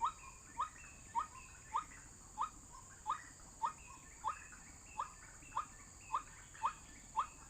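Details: Recording of a white-breasted waterhen played as a trapping lure: crisp upslurred single notes repeat roughly every half second, thirteen times, with faint background hiss.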